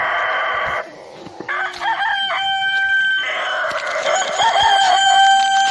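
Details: Rooster crowing amid overlapping sounds: drawn-out harmonic calls that rise and hold, with a second crow swelling near the end over steady background noise.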